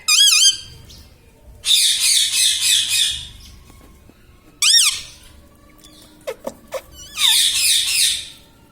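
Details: Household pet parrot that talks, saying "mummy" and "mithu"; loud wavy harmonic calls alternate with long raspy, broadband squawking bursts, with a few short clicks in the pauses.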